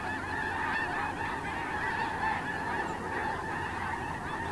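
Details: A flock of snow geese honking at Terranova on Monday 9 October 2017. Many birds call at once, and their harsh nasal honks blend into an unbroken, even roar throughout.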